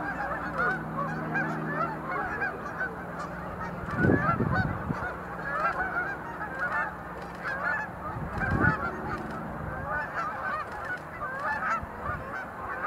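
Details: Sandhill cranes doing display leaps at the Montezuma National Wildlife Refuge visitor center in November 2020. Continuous rattling chatter from many birds, with two louder, rough call bursts near four and eight seconds, over a constant low drone.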